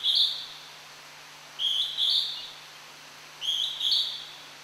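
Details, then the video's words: Hodgson's hawk-cuckoo singing in the Tokyo Citizens' Forest, hard to spot while calling: three clear, high, whistled two-part phrases, each rising at the end, repeated about every 1.8 seconds over a quiet background with a faint low hum. "ジュウイチ（1）さえずり（都民の森） - Hodgson's hawk-cuckoo"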